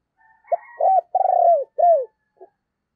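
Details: Spotted dove used as a decoy, calling to stir other doves into cooing: a short low note, then three loud, mellow, slurred coos, each dipping at its end, with a faint final note. No other sounds are heard.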